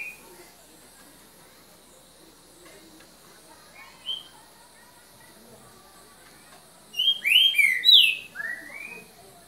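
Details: Green-winged saltator, "boca mole" song style, evening of 3 January 2019: faint background murmur for several seconds, then a loud phrase of four or five clear, slurred whistles, some rising and some falling.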